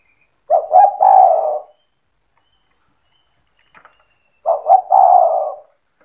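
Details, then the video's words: Cetretan-style song of a spotted dove meant to stir rival doves into answering: two hoarse coo phrases about four seconds apart, each opening with quick clipped notes before a longer rolling coo, faint ticks between. "Suara burung tekukur gacor cetretan bikin deruk tekukur derkuku balam lain emosi ikut bunyi"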